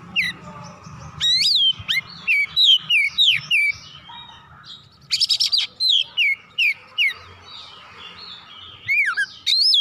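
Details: Oriental magpie-robin in full agitated song, unloading its repertoire: long runs of sharp, curling whistled notes in quick succession, interrupted by a harsh buzzy chatter burst, then more swooping whistles and rising glides.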